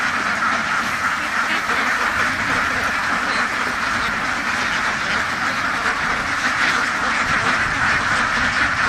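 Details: Many farm ducks kept in a duck house, quacking together in a dense, continuous chorus of harsh, overlapping nasal calls that never pauses; the steady din fills the whole recording.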